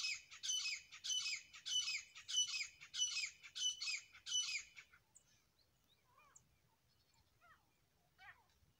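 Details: Grey francolin pair, locally dasi teetar, gives eight loud, grating, high notes spaced roughly every two-thirds of a second, then stops; afterward only faint small chirps and quiet twittering of other birds over low background hum.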